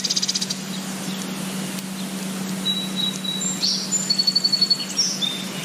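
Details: Songbirds singing in spring in natural surroundings: thin high whistled notes, one a rapid trill of repeated pulses, over a steady low hum.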